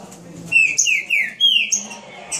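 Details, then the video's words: Green-winged saltator showing off its speed: five or six bright, downslurred whistles in quick succession, each note loud and clean, over a quiet background. "Trinca Ferro rapido"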